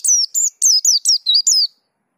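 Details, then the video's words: White-eye in energetic full song, a rolling delivery with varied phrases; six quick high bright whistled notes, each sliding downward, given in a rapid run lasting under two seconds, then silence. "Pleci Dakun Ngerol Gacor Bongkar Isian"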